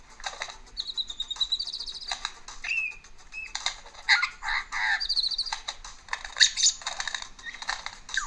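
A superb lyrebird runs through a rapid medley of borrowed sounds: high trills, clicks, whistles and chattering bursts, switching every second or so.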